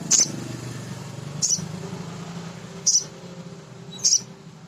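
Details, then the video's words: Four sharp, high chips from a male sogon, a nectar-feeding sunbird used as a lure to stir other birds, roughly one every second and a half over steady low noise. "Suara Sogon jantan asli"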